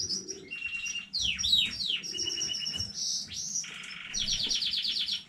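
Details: Canary from a new home breeding, 15 May 2019, in full varied song: whistled notes, sweeping slurs, a dense buzzy roll, a lower harsh trill, then rapid repeated high notes.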